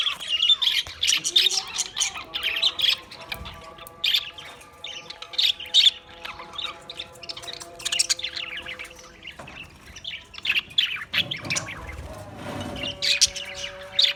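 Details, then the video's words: Australian parrots keep up a rapid chorus of high chirps and squawks, dipping into a quieter stretch midway before the chatter swells again; faint sustained tones lie beneath. "Beautiful Australian parrot video Bird Chirping sounds"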